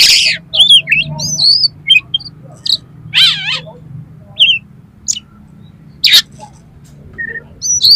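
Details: Oriental magpie-robin song loaded with coarse filler phrases for rousing a rival magpie-robin: loud harsh raspy bursts alternating with short curling whistles, spaced about a second apart, over faint low hum.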